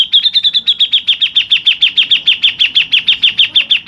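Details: Grey-cheeked bulbul, local bird, in a long rolling 'ngerol' song: an unbroken stream of rapid sharp chips, around seven per second, steady in pitch and loud throughout.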